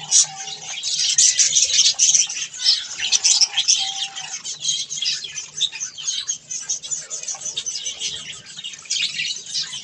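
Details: A lively flock of budgerigars eating softfood chatters in rapid, pulsing high squeaks and warbles, several pulses a second, with two short clear whistles early on.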